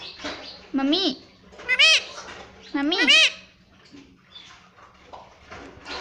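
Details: Pet parrot saying "mummy" again and again, three loud wavy utterances with dipping and rising pitch spaced about a second apart, then softer chatter.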